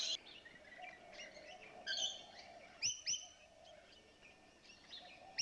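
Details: Several rainbow lorikeets that have just moved in chatter in shrill, squeaky chirps and short screeches, in bursts roughly every second, over a steady low background hum.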